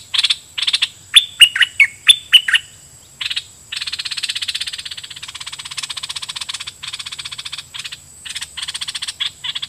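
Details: Decoy red-whiskered bulbul singing at wild birds in a doubled song style: several lively whistled phrases, then a long, harsh, pulsing buzz broken by short notes.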